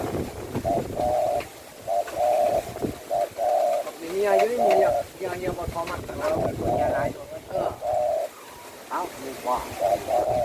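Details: Spotted dove singing sweetly: low, hollow, flat-pitched coos about half a second long, delivered in short irregular phrases, with a man speaking Thai over the middle and between the phrases.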